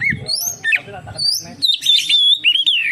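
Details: Oriental magpie-robin song used to lure other magpie-robins into singing: varied whistled phrases, some slurred and rising, others harsh and buzzy, with a low background hum.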